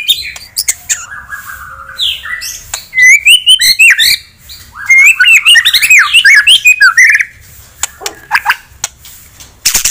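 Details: Caged white-rumped shama song meant to stir a rival bird's aggression: rich run of varied, looping whistled phrases mixed with clicks and chatter, then quieter scattered notes.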